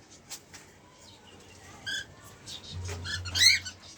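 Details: A cockatiel pair gives brief, harsh, rich-toned calls, with a faint low hum in the background.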